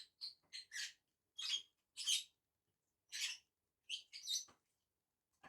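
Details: Two lovebirds feeding together produce a fast string of shrill, rasping chirps, then spaced single squeaks, with quiet gaps between.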